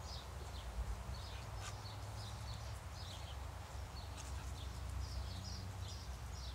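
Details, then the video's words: A group of house sparrows at food, chirping busily with short bright notes in overlapping clusters, steady low drone in the background. "house sparrows feeding"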